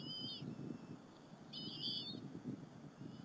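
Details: During an afternoon feeding at the Berry College nest on April 30, 2015, bald eaglets and their mother share a squirrel: two piercing whistled calls, the second longer and wavering, over soft rustling.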